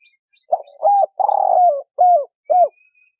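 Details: Spotted dove hen calling to rouse a male: short soft coo, a rounded note, a long hoarse falling coo, then two brief arched coos, with a faint thin high sound in the background.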